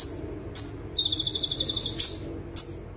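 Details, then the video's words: Tembakan-style song of an olive-backed sunbird (kolibri ninja) for song tutoring: two piercing downslurred high notes, then a rapid rattling high trill of about a second and a final sharp note. "Konin Tembakan Super Mewah - Konin Gacor Full Tembakan - Masteran Konin Gacor"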